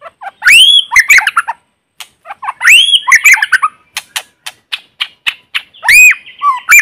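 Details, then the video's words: White-rumped shama singing in forest as a lure bird, no background noise: loud rich whistled phrases with slurred upswept notes, broken by sharp clicks, varied and repeated in bursts. "Tiếng chim Chích chòe lửa mồi hót kích bổi không tạp âm | White-rumped Shama singing in forest"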